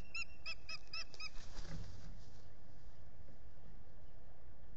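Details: A begging osprey at a Finger Lakes nest in the US, 8 April 2022, solar nest camera: five or six piercing whistled notes, then a loud bang of the camera housing blown by wind, and rushing wind afterwards.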